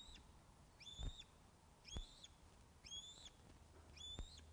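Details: Osprey calling at the Loch of the Lowes nest as a fish is delivered, webcam footage of 21 August 2012, 16.35: single high, arched whistled notes about once a second, with soft knocks and low background rumble.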